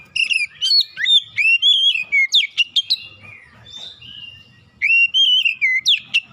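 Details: Lure song of an Oriental magpie-robin, used to get hard-to-start birds singing. Loud, sliding whistled phrases are broken by sharp upswept notes. A short quieter pause follows, then a similar wavering whistled phrase returns.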